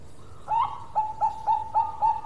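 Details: Local zebra dove singing busily: a run of short, soft, mellow coo notes, each with a slight upward start, repeated about every quarter second over faint low background rumble.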